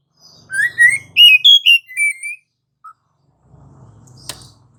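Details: Oriental magpie-robin (kacer) in rolling gacor ngerol song used to lure other magpie-robins into song: a run of rising whistled notes stepping up then down, followed by one soft note and faint low background noise.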